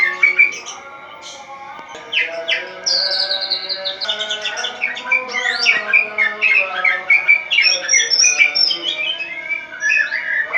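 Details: White-rumped shama kept in a cage, singing at dawn in ngeplong style: a dense, fast stream of varied whistles, chips and trills, rapidly changing pitch, over a continuous tonal background hum.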